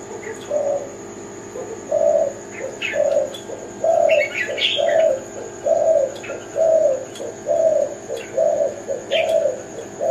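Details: Zebra dove of the Kelantan type singing, a soft low cooing phrase of rolling notes repeated about once a second in a steady series, with faint higher chirps of other birds in the background.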